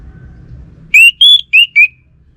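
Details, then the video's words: Orange-headed thrush singing a four-note whistled phrase: rising, then a higher held note, then two falling notes, all loud and clear over faint low hum. "Sekali Dengar Burung ANIS MERAH Lansung Nyaut Gacor Tanpa Henti"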